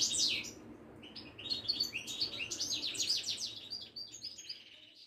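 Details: Caged European goldfinch of the Moroccan Widani type singing a fast, liquid series of rising and falling chirps and trills that fade toward the end.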